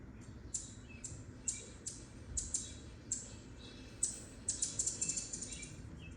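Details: Anna's hummingbird in a city giving sharp, very high, dry chips, scattered singly and then in a quicker run near the end, over a low background rumble; probably territorial, chasing another bird away.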